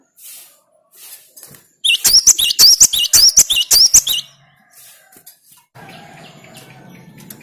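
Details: Stimulating song of a gelatik batu (cinereous tit): one loud run of quick, shrill two-note whistles lasting a couple of seconds, framed by soft faint chirps and low background hum.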